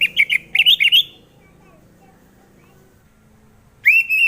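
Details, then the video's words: Orange-headed thrush song as a lure to make other birds sing; a quick series of slurred warbling whistles, a pause of nearly three seconds, then a further rising whistled phrase. "Pancingan Suara Burung Anis Merah"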